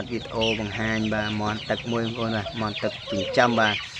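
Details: Tame waterhen raised from young and kept as a decoy, calling toward its owner's touch. Dense run of low, rich, resonant notes follows almost without pause, with slight rises and falls in pitch.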